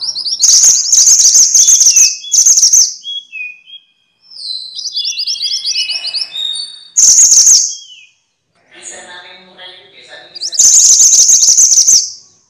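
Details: Minivet (mantenan or sepah) for teaching songbirds: loud high trilled bursts around two seconds long, a series of rapid rising notes and thin whistles between them.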